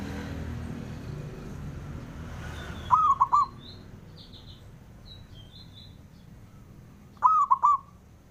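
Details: A male zebra dove provoking rivals answers with two phrases, a long wavering coo plus three short coos each, about four seconds apart, while high thin chirps of other birds sound between them.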